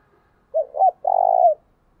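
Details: Spotted dove used as a lure for wild birds gives one cooing phrase: a brief coo, a second rising-falling coo, then a drawn-out even coo with a quavering texture, all clean and close with no other sounds.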